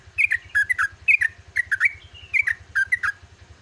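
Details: Rapid, bubbly warbling from a yellow-vented bulbul at dawn, long 'ropelan' style: paired chirps swing down and back up, broken by one drawn-out gliding whistle, with a low rhythmic hum beneath.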